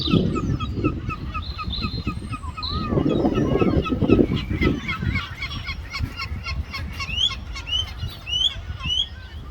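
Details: Seagulls squabbling over food, giving a rapid chorus of repeated harsh, nasal cries about twice a second, later mixed with high upslurred squeals, over rough wind-like noise.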